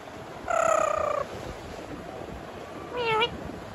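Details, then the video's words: Indian ringneck parakeet kept as a talking pet, imitating a cat's meow: one steady, nasal, harmonic meow lasting under a second, then a shorter rising meow about two seconds later, over a quiet room hiss. "Miyan Mithu in Talking Mood 😍 Miaon Cat Sound"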